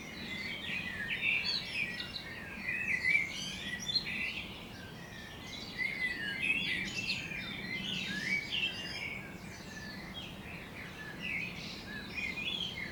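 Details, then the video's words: Several birds chirping and singing at morning near Budapest, Hungary, dense overlapping twitters and whistled notes coming in bursts, steady background hiss throughout. "Morning Birds Chirping"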